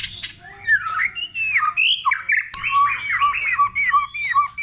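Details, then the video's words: Many-voiced white-rumped shama song used to trigger singing: rich flowing whistles sliding up and down in quick succession, with short twittering notes between. "Kích Chòe lửa hót nhiều giọng"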